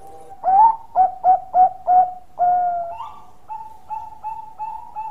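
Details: Singing zebra dove, Bangkok type, delivering its long song: five short, emphatic coos, a stretched mellow note, then a run of quieter, regularly repeated coos trailing off. Background otherwise silent.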